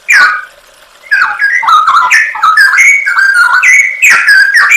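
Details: Straw-headed bulbul singing a masteran training song for songbirds, full of fill-in 'nembak' phrases: a short loud note, a half-second pause, then a sustained stream of mellow, bubbling whistles sweeping up and down.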